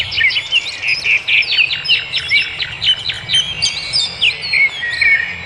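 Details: Birdsong in the wild: a steady run of sharp chirps and short whistled notes, roughly two to three per second, in a high lively chorus over a quiet low background hum.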